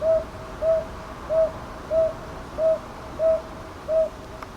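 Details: Northern boobook at Ichijoji, Sakyo Ward, Kyoto, 22 May 2023: seven short, even hoots spaced about every two-thirds of a second in loose pairs, recorded on a TASCAM DR-100MKIII with a faint click near the end.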